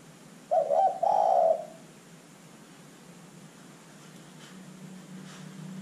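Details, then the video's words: Lure recording of an actively calling spotted dove, meant to make other birds respond; one low stuttering coo near the start ending in a longer purring note, then several seconds of faint background hum. "LANGSUNG IKUT BUNYI dengan pancingan terkukur GACOR ini"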